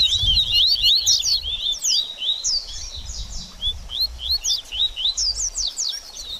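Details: High, rapid seedeater twittering, a double-collared seedeater 'baderninha' for stimulating a post-moult bird: sweeping chirps in short clustered phrases separated by brief gaps, with soft low background rumble.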